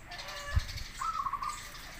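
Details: Zebra dove, local or crossbred bird, sings to lure others to respond. A dull knock comes first, then half a second of beady, trilled coos at an even pitch.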